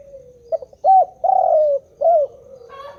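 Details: Spotted dove calling continuously: one cooing phrase of a short note, a rising-falling coo, a long drawn falling coo and a final arched coo, all low and mellow.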